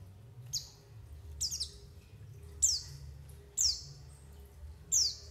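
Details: Lure call of a white-eye, used for trapping and to coax birds into song: high, sharp notes falling quickly in pitch, some doubled, repeated unevenly about every second over a low droning hum.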